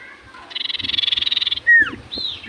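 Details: Common iora in full voice, singing to draw replies from other ioras: a fast buzzy rattle of about twenty pulses lasting a second, then a clear downward-swooping whistle and a rising-falling arched note.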